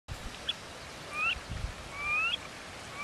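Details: Eared grebes at Benton National Wildlife Refuge near Great Falls, Montana, in late May 2019 give thin, rising whistled calls, four or five in three seconds, some overlapping as if from several birds, over a low wind-like rumble.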